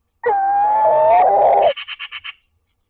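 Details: Tawny owls, a grey-morph female and a rufous-morph male, exchange calls at their nest box in Toledo, Castilla-La Mancha. A loud, drawn-out, wavering wail lasts about 1.5 seconds, then five quick pulsed notes.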